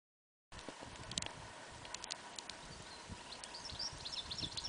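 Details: White stork in Mação, central Portugal, a wooded region where the species is uncommon: dry, wooden clicks in loose, irregular bursts, roughly four a second, with thin high chirps of small birds behind.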